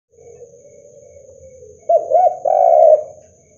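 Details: Spotted dove (derkuku), a vigorous caller whose voice is meant to rouse rival doves. After a faint low murmur, one loud phrase: two short rounded coos, then a longer drawn-out hoarse coo. A faint steady high hum runs throughout.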